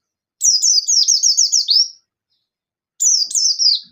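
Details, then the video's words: High-pitched Buxton's white-eye song used to call out rivals, delivered in the 'ngalas nembak' manner: a fast run of about ten sharp descending chirps, a pause, then a shorter burst of the same notes. "Suara Burung Pleci Buxtoni Gacor Ngalas Nembak Memanggil Lawan"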